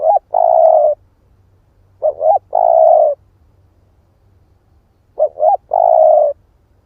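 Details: A split-breast spotted dove coos as a lure to provoke wild birds. Three phrases sound about every two and a half seconds, each a double short note then a long even coo, in a clean quiet setting.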